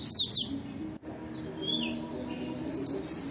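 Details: Energetic white-eye song meant to coax reluctant white-eyes into singing: thin, very high sliding chirps and quick twitters, one brief break, then sharp high bursts near the end, with a faint low tonal hum behind.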